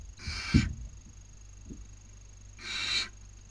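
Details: Barn owl owlets at a webcam nest in Cabañeros National Park, Spain, during the 2019 breeding season, one taking a sibling's dinner; two harsh hissing screeches half a second long, with soft low thumps between.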